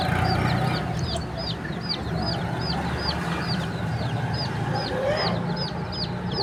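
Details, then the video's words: Chicks chirping in a bird market in Pakistan: a busy run of high, arched peeps, several each second and overlapping, above a heavy low rumble of market noise. "Beautiful Chirping Sounds of Cute and Funny Chicks in Birds Market PK"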